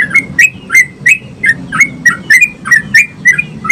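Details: Bulbul song from a sooty-headed bulbul, lively and intended to trigger singing in other bulbuls: quick chattering whistles, around three per second, each a short bright chirp, with a low humming background.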